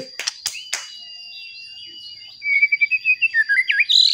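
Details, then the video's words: White-rumped shama, a murai batu, in a bait song to provoke others: a few sharp clicks first, then after a pause a fast, even trill of whistled notes ending in a slurred rising whistle, steady high whine throughout. "Pancingan Murai Batu Agar Bunyi Ampuh Bikin Emosi Murai Batu Lain"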